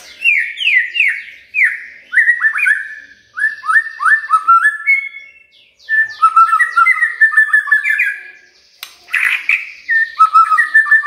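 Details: Prompting song for a silent shama: long sequence of repeated downslurred whistles, then quick trilled phrases, one brief harsh burst and more mellow whistled notes, with short gaps between bouts.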